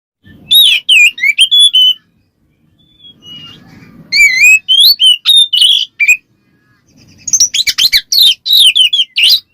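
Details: Oriental magpie-robin singing in ngeplong style, calling a rival to provoke other magpie-robins: loud bursts of clear whistled, looping notes, some rising and falling, delivered in rapid runs separated by short pauses with faint low rustling.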